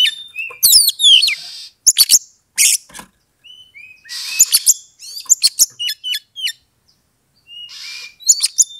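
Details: Oriental magpie-robin singing to provoke a rival into fighting: rapid varied song of sharp rising and falling whistles, short trills and harsh bursts, delivered in quick phrases separated by brief pauses.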